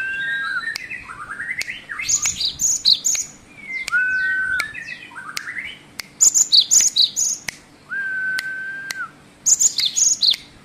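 Great tit in varied song: long steady whistles alternate with rapid, high chattering and twittering phrases, some sliding up or down; sharp clicks punctuate the background.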